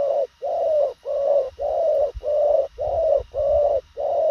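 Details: Spotted dove giving a fast, short and concise cooing series: mellow, low hollow coo notes repeated steadily about every half second with brief gaps, forming an even rhythmic run with no other sounds heard.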